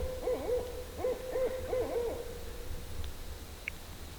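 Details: Barred owls calling in a Georgia swamp: a quick run of short, bouncing hoots with rising and falling inflections, about three per second for two seconds, over a steady droning tone and low rumble.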